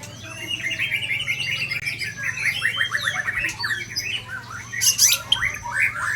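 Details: White-rumped shama from Ujong Pancu delivering its rare 'isian' song fill: a dense, fast run of varied whistled and chattering phrases, with quick repeated trilled notes and sharp high accents, over a steady low hum.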